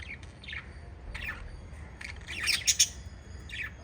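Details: Five lovebirds in a family group chirping: short, sharp, high chirps scattered through the clip, with a denser, louder burst of rapid chirps near the end over a low background hum.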